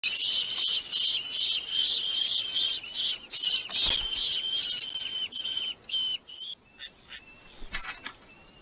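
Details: Red-footed falcons at a nest with their family, filmed by a live nest camera in Polgár, Hungary: loud, harsh, rapidly repeated squealing calls for about six seconds, then fading into scattered shorter notes.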